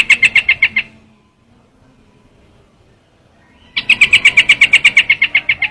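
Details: Trao trảo bird call used as a lure: fast series of sharp, high chirps, about eight in under a second, then a pause of nearly three seconds and a longer run of evenly repeated chirps.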